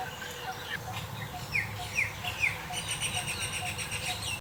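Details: Great myna (white-vented myna) gives three short rising chirps about half a second apart, then a burst of busy, scratchy chatter, over low background rumble.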